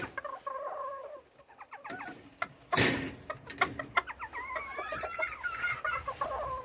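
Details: Serama bantam hens, a noisy group calling in the morning while waiting to be let out of their coop; repeated nasal clucks and rising squawking notes from several birds, overlapping, with a brief loud clatter near the middle.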